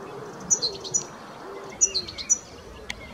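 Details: Cetti's warbler at L'Albufera, 2024, giving two sudden bursts of sharp, high, clipped notes, each about half a second long, with a soft low cooing humming underneath.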